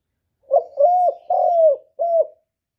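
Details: Male spotted dove cooing to stimulate a female to lay: a short soft note, then two longer hollow, mellow coos and a final shorter coo, clean with no other sounds.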